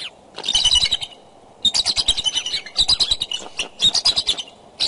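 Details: Courting bald eagles at the Decorah nest, morning of 2 February 2012, calling from the branches during possible mating; bursts of high, rapid chittering notes tumble in loud series, broken by short pauses.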